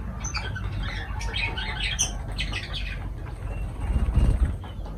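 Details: Lovebirds, pet parrots, chattering with quick, shrill, overlapping chirps in the first half, then quieter, with a low rumbling background and a short thumping noise near the end.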